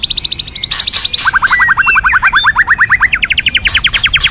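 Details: White-rumped shama training song in kéo thuốc lào style: long runs of rapid, evenly spaced clipped notes, about six per second, shifting pitch between runs, with bright ringing notes above.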